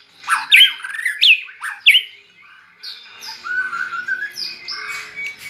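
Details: White-rumped shama raised next to red-whiskered bulbuls, singing bulbul-style: three loud swooping whistled notes, then a softer, rambling warble of thin high phrases.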